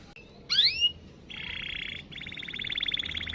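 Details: Quieter canary lure song with background hiss: a sharp rising whistled sweep, then a steady buzzy roll and a longer fast pulsed trill.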